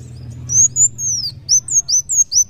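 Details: Sunbird, locally kolibri wulung, singing: a long, sweeping, high whistle slides downward, followed by several short, piercing, arched notes in quick succession.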